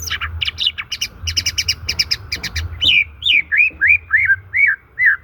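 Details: Natural white-rumped shama singing, offered to spur silent or stressed shamas into song: a fast burst of buzzy, chattering clicks gives way to clear, arched whistled notes repeated about every half second, with faint background rumble.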